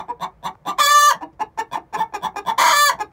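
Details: Pre-laying egg song from two young hens aged six months: fast rhythmic clucking with two long harsh squawks, one early and one late.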